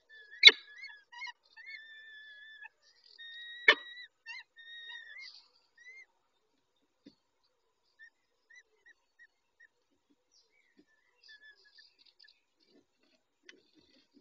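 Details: Peregrine falcon male tending the females at the nest on 23 May 2021 at 19:40. Short harmonic chirping notes come in quick series with two sharp knocks early on, then softer, sparser chips fading through the rest.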